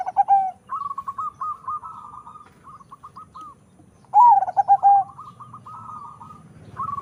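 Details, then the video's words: Bred from local and Bangkok lines for a big voice, a zebra dove sings a loud dropping coo, then a long chain of short stuttered notes, then another deep warbled coo and more clipped notes. "PERKUTUT CROSING PERPADUAN LOKAL BANGKOK SUARA SUPER BESAR"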